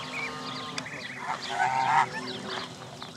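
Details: Canada goose families and goslings gathered at Jess Ranch Lakes Park, May 23, 2014: a mix of distant peeps and a rough, moderately loud honk in the middle, over background hiss.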